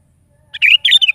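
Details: Sooty-headed bulbul at full morning song: a short, cheerful phrase of throaty, liquid warbles grouped in quick bursts, with a quiet background.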